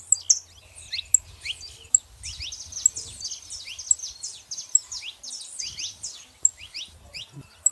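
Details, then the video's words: Saffron finches, both female and male, in a steady, moderately quiet chatter of high quick downslurred chirps, punctuated by sharp ticking clicks, with a faint low hum. "canários da terra fazendo barulho fêmea e macho"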